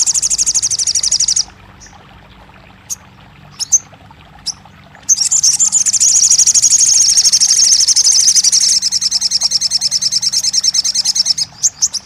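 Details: Crested jay, on a therapy recording for a kept bird that has gone quiet: a fast, high rattle, a pause with a few sharp chips, then a long, continuous rapid rattling trill of about six seconds.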